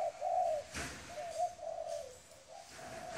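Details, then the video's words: Spotted dove, a wild-caught bird, giving low mellow coos in a short run of rolling notes, one clearly louder opening phrase followed by softer ones; a brief knock partway through. "Cu gáy bổi"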